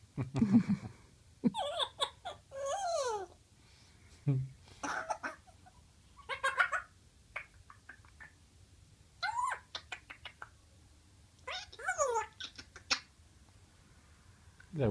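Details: Eight-month-old male Congo African grey parrot kept as a pet, mimicking the coughing of a young girl with a chest cold; harsh, raspy cough-like bursts alternate with swooping, harmonic squawks, arriving in short clusters every one to two seconds.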